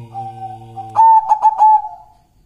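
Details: Zebra dove of a local wild bird singing a clear cooing phrase: several stuttered bright notes in quick succession, then a steady drawn-out coo fading away. It follows a held note of male singing.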